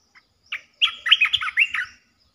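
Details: Red-eyed bulbul territory holder giving a loud, rich run of quick, rolling, slurred whistled notes lasting about a second.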